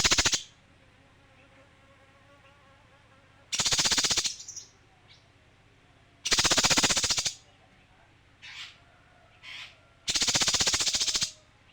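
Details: Male kinoi giving four harsh, buzzy rattles of dense rapid pulses, each about a second long and spaced roughly three seconds apart, with a few faint short high notes between bursts.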